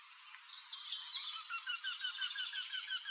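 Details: Male Eurasian wryneck in Drenthe, 29 April 2024, calling from an old woodpecker hole to entice a female to inspect the nest; a run of evenly spaced, slightly falling nasal notes, about eight in a row, under higher chirps from other birds.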